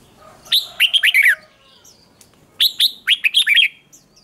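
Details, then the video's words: Male red-whiskered bulbul kept in a cage, driven to duel-style singing: two brisk phrases of bright, bubbling whistles about two seconds apart, each falling away at the end. "Kích Chào Mào Hót Đấu"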